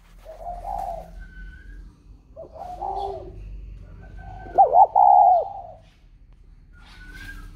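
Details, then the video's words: Spotted dove, just sold and placed in a box, still calling as usual: low hooting coos with a louder, wavering double coo near the end, among faint background noise. "khách mua xong chim cho vào hộp vẫn trơi như thường"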